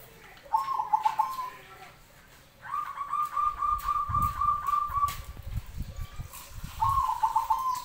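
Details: Zebra dove (perkutut) singing from below: soft, rapid rolling coo phrases, a short one first, then a long even trill of repeated notes, then another, with low rumbling background noise.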